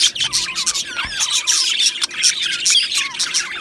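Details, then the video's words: Budgerigars in an aviary colony, singing and chirping: dense overlapping high chirps and warbling notes, with short rising and falling whistled slurs and a constant busy chatter from many birds at once. "Beautiful Budgies Singing and Chirping Sounds"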